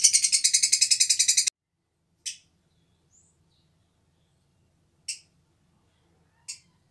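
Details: An old pair of Black-cheeked lovebirds kept in an aviary with a year-round nest: a rapid rasping chatter for over a second, then three sharp isolated shrieks spaced seconds apart in quiet.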